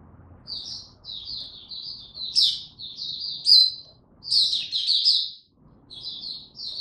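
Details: Caged Oriental white-eye in training, delivering a near-continuous run of high, slurred twittering notes with brief louder, busier bursts, then a short pause before the phrases resume.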